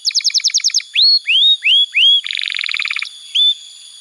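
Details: Canary singing hard, played to get young or silent canaries singing: a fast trill, four clear rising whistles, a buzzy rattle, then a final whistled note.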